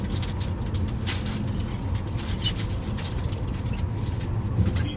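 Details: Steady low traffic rumble with a passing vehicle and faint voices, no animal calls.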